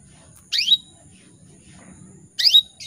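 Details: Female canary calling males, two short bright chirps about two seconds apart, each a buzzy downward sweep ending in a thin whistled note, with soft low hum between.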